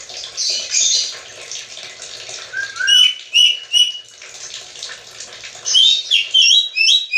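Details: Black-capped lory, said to talk like a human, giving a series of short clear whistled chirps and slurred notes, clustered in bursts toward the middle and end, against a constant rushing hiss.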